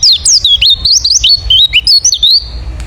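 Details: Lively chatter of a wild forest white-eye, a lure call meant to draw replies from other white-eyes: high, thin, twittering notes that rise and fall rapidly in an unbroken string, over a faint low hum.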